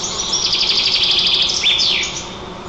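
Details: A white-tailed eagle at its nest 35 m up in Nizhnyaya Kama National Park, Tatarstan, filmed by nest camera on 27 June 2024, gives a rapid run of thin, high chittering notes, then a quick slurred squeal that drops and rises.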